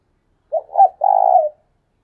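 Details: Spotted dove decoy calling hard: a single phrase of two short cooing notes followed by a long, finely pulsed, mellow croon fading at its end. No other sounds are heard.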